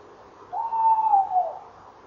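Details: Tawny owl calling at a nest box at 19:22 on 28 November 2013, with a female beside the box and a male later flying in. A single drawn-out, slightly falling hooted note lasting about a second, over faint background hiss.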